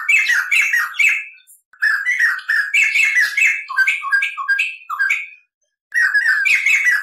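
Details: Rolling, cackling song of a white-crested laughingthrush on a tutor recording: dense chattering bursts with rising and falling whistled notes, separated by a few short silences.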